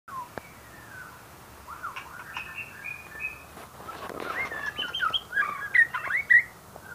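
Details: White-rumped shama song: a quiet sustained whistle, then a run of short clear whistled phrases, growing louder and more varied, with sharp rising and falling notes near the end. Faint background hiss.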